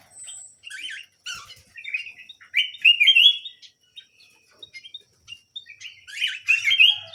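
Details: Small canary in full song, a fast varied warble of chirps, buzzy notes and a sustained bright trill, pausing briefly before resuming with a dense twittering burst.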